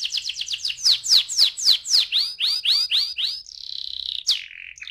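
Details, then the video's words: Canary in rolling ngeroll song, played as a lure to spur other canaries to sing: a string of sharp downward-sweeping whistles that gradually slow, then a long flat steady whistle and one last sharp note. "PANCINGAN TERCEPAT dan SUKSES BIKIN KENARI GACOR NGEROLL"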